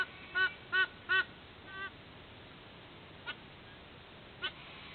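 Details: White-bellied sea eagle at its nest in Sydney, Australia, at dawn (06:04) on 13 October 2024. Three loud, nasal, goose-like honks come in quick succession, followed by a softer fourth honk and two brief faint notes later on.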